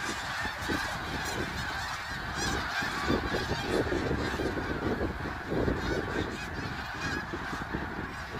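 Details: Snow geese at Middle Creek Wildlife Area on 3 March 2022: a dense, continuous chorus of many overlapping nasal honks and yelps from a large flock, steady throughout with no pauses, over a low rumbling background.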